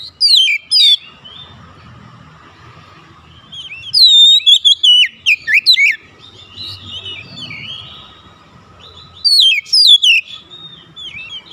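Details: Oriental magpie-robin calling out and being answered by another; clear whistled, slurred notes and steep high chirps come in separate bursts between short quiet gaps, over a faint steady hum.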